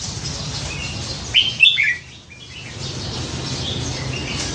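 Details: Caged red-whiskered bulbul, hand-caught as a young bird and kept for nine months, prized for its many varied songs; a quick burst of bright whistled notes jumping between high and mid pitch, then quiet background hiss.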